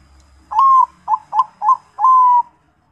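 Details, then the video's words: Zebra dove (perkutut) song phrase: a long level coo, three short clipped notes, then a final drawn-out level coo, clear against a quiet background. "MACAM - MACAM BUNYI PERKUTUT"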